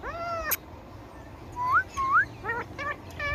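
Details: Indian ringneck parakeet, a talking parrot, opens with a harmonic vocal note ended by a sharp click. Two clear upswept whistles follow, then quick stacked, chattering syllables.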